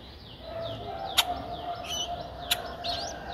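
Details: Nine-day-old Streak-eared Bulbul nestlings, whose eyes opened at seven days, give thin high chirps sweeping up and down in quick uneven runs over a low hum and two sharp clicks; Ubon Ratchathani, Thailand, 11 April 2023.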